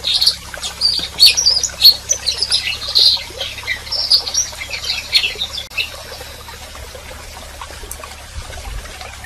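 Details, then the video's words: Softer canary chirps and short high twitters come in irregular clusters for about five seconds, then fade into faint background hiss. "Canary Singing And Calling - Chant et appel des Canaries - غناء الكناري وندائه"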